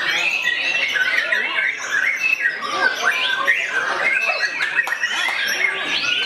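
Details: White-rumped shama going after a rival, its song a busy torrent of quick whistled phrases, harsh chips and squeaks that overlap densely from start to finish.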